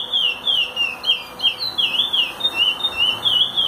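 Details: Song of a Chestnut-bellied seed finch for teaching, made of quick repeated whistled slurs rising and falling in a rhythmic, flowing sequence.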